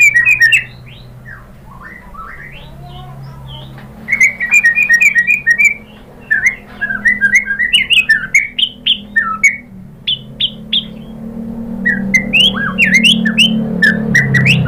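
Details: Lure song of a white-rumped shama, meant to make a rival bird answer and sing. Varied, rapid phrases of whistled and chirping notes come in bursts separated by short pauses, with a low steady hum underneath.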